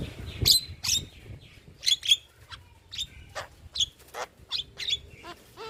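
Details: Young starlings are trained with this recording, played often so quiet birds start singing: a string of short, sharp chirps and clicks, some whistled and rising, spaced irregularly over a quiet background.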